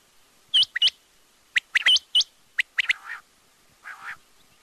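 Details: Quail (batair) calling: sharp, high, hooked notes given singly and in quick pairs at uneven intervals, followed by two softer, buzzy, lower bursts near the end.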